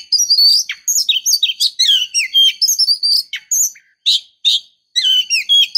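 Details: Female Oriental magpie-robin calling to lure a male, giving a dense, continuous run of high whistles, rising and falling slurs and short chirps, then a few spaced bursts near the end. No background sounds.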